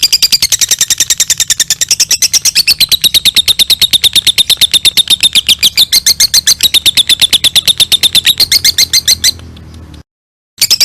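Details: Lovebird ngekek, a long trill played to train other birds: a continuous run of rapid, sharp high chirps for about nine seconds, shifting from higher to slightly lower notes, ending in a brief silence and restart.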